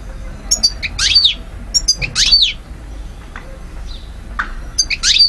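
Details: European goldfinch in Algeria, 2012: quick tinkling phrases of high, steeply sweeping notes and short twittered bursts, separated by brief pauses, over a faint low background hum.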